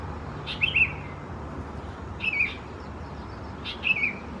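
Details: Young Sooty-headed Bulbuls of the thais subspecies at Khao Yoi, Phetchaburi, Thailand, in June 2020, giving three harsh, slightly downslurred squeaky chirps spaced about 1.5 seconds apart over soft background hum.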